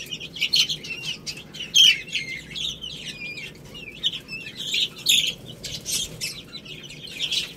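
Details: Chicks eating rice, giving clear high peeps that sweep up and down, some with wavering whistled tones, amid sharp pecking clicks, over quiet background.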